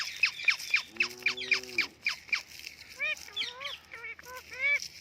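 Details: Talking parrot repeating the phrase "Mian Mithu churi khasein": a quick run of about ten sharp, falling chirps, then a longer humming syllable, followed by several voice-like, wavering harmonic syllables in a speech-like rhythm.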